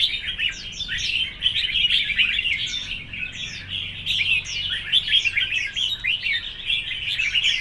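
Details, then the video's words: Red-whiskered bulbuls competing in song: a steady stream of sharp, slurred whistles and chirps, some notes sweeping upward, layered thickly as if from more than one bird. "Chào mào đấu hót"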